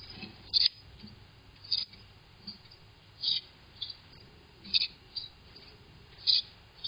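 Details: Young Carolina wrens give brief, thin, high pi-zeet notes, about one every second or so, some fainter, over a soft hiss. From about 14 days after hatching, this call keeps fledglings together and tells parents where they are.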